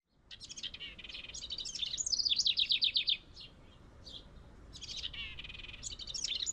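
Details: A house wren in a tree near its birdhouse sings two bubbling, high-pitched bursts of rapid chattering notes, with a quick descending series of trills in the middle.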